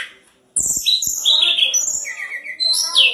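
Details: Lesser shortwing song intended to draw an immediate reply from rival birds: after a short silence, a continuous run of high, clear whistled notes stepping up and down with fast twittering.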